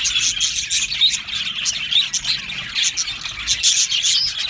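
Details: Aviary colony of budgerigars: a dense, steady wall of high-pitched chirps and scratchy warbling from many birds, with rapid overlapping notes and no pauses.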